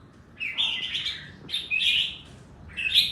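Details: Red-whiskered bulbul singing in a style described as sure to 'double'. Short, bright whistled phrases rise and fall in slurred notes, with three bursts separated by brief pauses over a faint background hiss.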